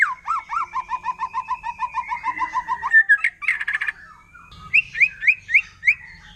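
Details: Wild forest white-rumped shama, its song said to provoke other shamas: a long run of about twenty quick, repeated upslurred whistles beneath a sustained thin tone, then a brief buzzy burst and several sharper rising notes.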